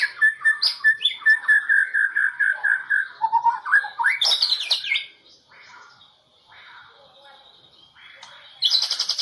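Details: Champion competition white-rumped shama, Medan type, from the 2018 President Cup, delivering a series of repeated mid-pitched whistled notes, a loud high burst, a quiet pause, then a fast high trill at the end.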